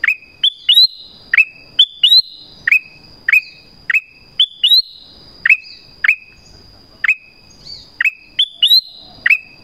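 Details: Black-crested bulbul (Rubigula flaviventris), captive bird calling to wild birds: bright, sharp chirps, each flicking up then down, repeated about once a second, over a faint steady high ringing tone.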